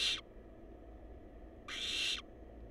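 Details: Nestling barn owls, wild and filmed at their nest box. They make loud, noisy, rasping hisses lasting about half a second, separated by a quieter pause with a constant low hum underneath.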